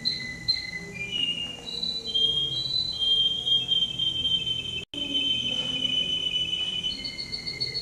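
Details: At a canary singing competition in Rostov-on-Don on 22 January 2011, the male entered as number 10 delivers smooth, held whistled phrases. Short rising notes give way to a long rolling tour, with a brief dropout midway and faint background hum.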